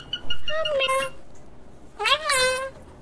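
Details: Pet parrot at home, playing with a baby and talking "mummy": two short voiced, speech-like phrases with a gliding tone, separated by a brief pause, in a quiet room.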